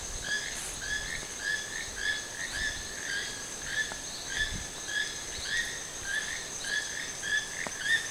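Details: Repeated creaky croaks from a wild toucan at Sueno Esmeralda, delivered steadily about twice a second for eight seconds, with a persistent high insect hum and occasional clicks.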